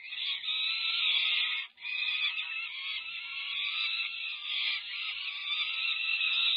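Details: Nestling peregrine falcons, more than five weeks old and nearing fledging, scream for food while the female feeds them at a California nest, 18 May 2023. A long, rough, sustained wail runs almost without break, dropping out once near two seconds.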